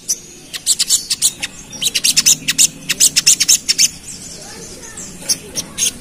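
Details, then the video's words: Pied fantail (sogon) roused to agitation, chattering in the rapid ngerap manner: sharp, high, dry notes in quick irregular runs, densest in the middle, then trailing off into a few scattered chips. "Pancingan Ampuh Bikin Burung Sogon Emosi | Suara Sogon Ngerap"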